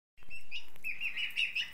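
Ayam Cemani chicken giving a quick run of thin, high chirps at a steady pitch, over faint low background rumble.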